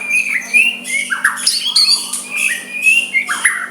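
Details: White-rumped shama giving a soft song to stir a rival into emotional counter-singing; clear rising and falling whistles mixed with harsh buzzy notes in quick succession, a faint mechanical hum underneath.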